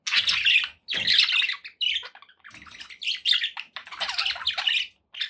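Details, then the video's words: Caged pet budgerigars chatter in loud scratchy bursts with clipped whistled chirps, some faint low knocking beneath, phrases broken by brief quiet gaps. "9 hours of budgie sounds to keep your pets in happy bird company"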